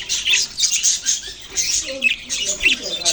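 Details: Budgerigars, Australian parrots, chirping and squawking in dense overlapping bursts of harsh, scratchy high notes with brief whistled tones, several calls each second throughout, suggesting more than one bird calling together.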